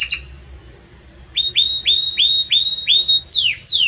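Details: Belgian canary singing a strong, warm song: a high sweeping note, then a run of six rising-then-falling whistled notes at steady pace, closing with two loud downward sweeps.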